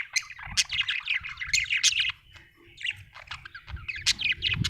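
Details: Budgerigar chirping busily in quick, tumbling bursts of bright, scratchy notes, with a brief lull before the chatter resumes, over faint low background noise.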